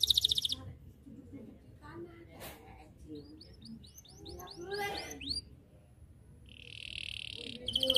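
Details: Canary singing in the 'gacor' style, chirping to call rivals into singing along: scattered sweeping high whistled notes, a burst of descending slurred phrases, then a dense buzzy trill near the end over low background rumble.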